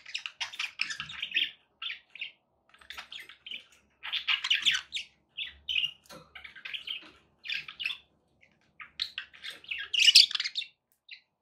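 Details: Budgerigars kept as pets, singing to encourage a pet parrot to eat and sing: busy chattering warble of short buzzy and chirpy notes in bursts separated by brief pauses, one louder squawk near the end.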